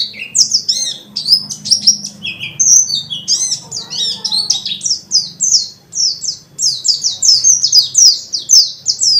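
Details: Non-stop ngalas-style singing from a dakun white-eye, packed with varied phrases and said to spur other white-eyes to answer: a dense, unbroken stream of high, bright, down-slurred chirps and twitters with quick tempo and little pause.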